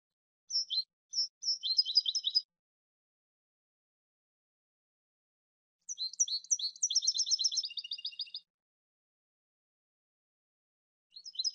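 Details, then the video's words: Two long phrases of goldfinch song, each a tumbling series of high, tinkling chirps running into buzzy repeated trills, split by a few seconds of silence, with a third phrase starting at the end. "Cd cante de jilguero"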